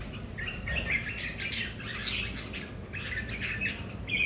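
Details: Several red-whiskered bulbuls at home contesting territory, each bird differently tempered: rapid cheerful warbled phrases and chirps, sometimes overlapping, with light background noise.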